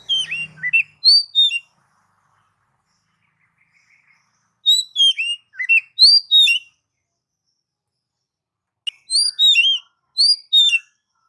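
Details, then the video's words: Oriental magpie-robin song used to prompt caged birds to sing: three phrases of rapid, sweet, down-slurred whistles and chirps, each lasting about two seconds, separated by clear silences. "MP3 master burung kacer"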